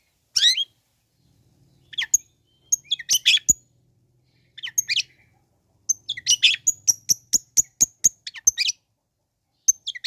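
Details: Long-tailed shrike song used to provoke other shrikes: scattered harsh calls and chirp groups, then a fast series of sharp clicking notes and mimicked squeaks.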